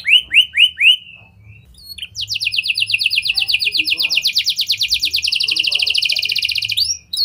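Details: A canary in full lovebird and prinia (prenjak) style song, intended to prompt other canaries to sing at length: three curved whistles, a short pause, then a long fast high trill ending abruptly.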